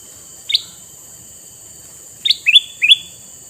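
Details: Male red-eyed kutilang mas (sooty-headed bulbul), used to lure wild bulbuls: one short chirp, then three quick, slurred, rising notes after a pause. A steady high electronic whine runs throughout.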